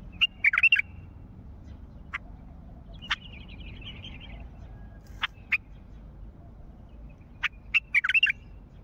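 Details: Wild bulbul from Mandali repeating its calls: bubbly chattered bursts at the start and end, separated by scattered sharp clicks and a faint thin twitter, with low background rumble throughout.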